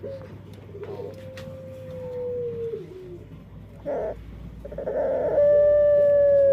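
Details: Dove with an unusual voice, unlike other doves: a long, steady, tonal note that slides gently downward, then a brief rough burst and a second bright sustained tone rising to the end.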